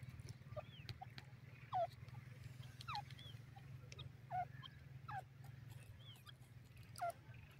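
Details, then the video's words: Grey francolin, known locally as teetar, calling: short, sharply rising slurred notes repeated about once a second, with louder phrases near 1.8, 4.4 and 7 seconds, over a steady low hum. "grey francolin voice"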